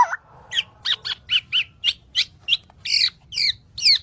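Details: Black-naped oriole song for tutoring birds: a short curling whistle, then about ten harsh, squeaky notes spaced evenly a third of a second apart.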